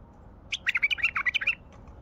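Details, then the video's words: Wild bulbul from Baghdad singing: a quick phrase of rapid, warbled notes running for about one second, bright and chattering, over faint low background noise. "تغريد بلبل وحشي بغدادي"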